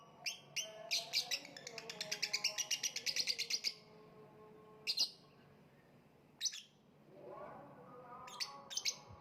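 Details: Lovebird chirping: a quick run of sharp, shrill chirps repeated several times a second for a few seconds, then scattered single piercing calls, over steady low humming tones in the background.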